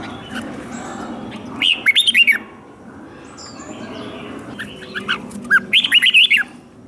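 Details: Red-whiskered bulbul kept in a cage, singing a competitive fighting song meant for voice training. Two lively bursts of rapid, rising and falling whistled notes are separated by a quiet gap, with constant low hum behind.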